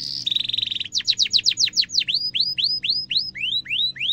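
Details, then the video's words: Canary singing the long cuit-cuit gacor style used to train young canaries. A buzzy trill opens, then rapid descending chirps and a run of rising curved whistles, with faint low hum behind. "kenari gacor panjang cuit cuit emosi, pancingan kenari paud belajar bunyi"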